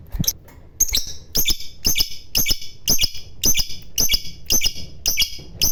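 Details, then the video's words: Fighter-type lovebird giving sharp, high chirps in a regular run, roughly two per second, each preceded by a dry click, over a low background rumble. "Burung Labet Ngekek Fighter"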